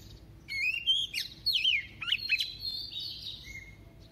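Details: Female decoy Oriental magpie-robin, kept as a lure bird, singing in a double voice to excite males: loud, clear whistled phrases, sliding up and down with quick twisting notes and short chirps, ending on a thin steady whistle.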